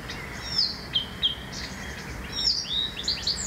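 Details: Blyth's reed warbler singing in a home town near a busy railway with 400+ trains per day: a fast run of high, scratchy whistles and slurred chirps, some notes repeated, over faint background hiss.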